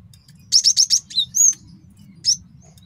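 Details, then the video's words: Four rapid, evenly spaced sharp high chips from a male cinereous tit used for luring and training, followed by a thin whistled note and one last chip; faint low hum throughout. "MASTERAN GELATIK BATU JANTAN BAGUS BUAT MIKAT DAN MASTERAN BURUNG JAWARA"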